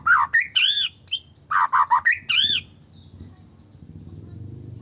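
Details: White-rumped shama used as a provoking lure for other shamas: rapid loud phrases of rich whistles and buzzy, downward-arching notes for about three seconds, then fading to low background rumble.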